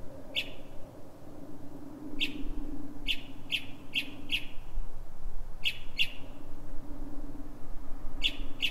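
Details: Northern mockingbird night song, Silver Spring, Maryland, USA, before dawn at 3:44 a.m.: brief sharp chip notes given singly and in quick runs of four, widely spaced, over a faint low drone.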